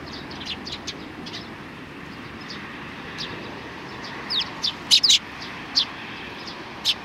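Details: Sparrows at a Tenmangu shrine on 22 May 2019 give short, sharp high chirps, scattered at first and then in a louder cluster near the fifth second, over a steady low background hum.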